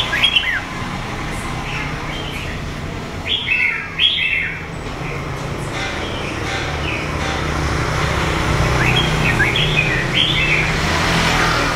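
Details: Red-whiskered bulbul of A Lưới, Huế, Vietnam, wild-origin with red eye patches, two seasons: repeated short phrases of sweet, springy whistled notes spaced every few seconds, against a constant low rumble that grows louder.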